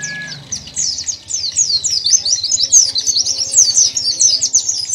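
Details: Dakun-type white-eye singing vigorously and persistently in the 'sobek-sobek' style: a dense, rapid run of high, sharp, downward-slurred whistled notes, tumbling almost without pause, over a faint low hum.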